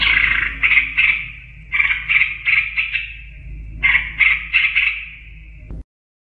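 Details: Male greater green leafbird singing a sweet master song meant for training young birds: bursts of buzzy, trilled phrases in three groups, separated by short pauses, over a low steady hum, ending abruptly.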